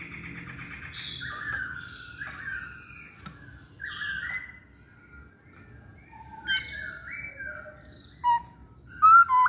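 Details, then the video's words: Masked laughingthrush singing a varied run of mellow whistled and slurred notes, some doubled, with pauses between phrases, ending in sharper loud whistles, over a faint low hum. "Burung Poksay Hongkong Gacor"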